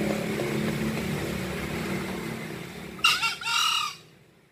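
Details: Green junglefowl in high breeding condition, actively crowing: after three seconds of low rumbling background, one short harsh two-part crow of about a second, rough and strongly harmonic, the second part longer and falling off.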